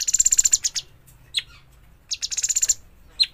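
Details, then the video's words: Recently fledged bulbul producing two long runs of rapid, harsh stuttering chirps, each ending with a clipped single chip, in otherwise quiet surroundings. "burung cucak cungkok trotolan"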